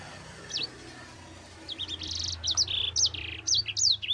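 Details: Mozambique canary song for tutoring other birds, beginning after a quiet, hissy opening: a single note, then from about two seconds a run of buzzy high chirps and short sweeping whistles against steady background noise.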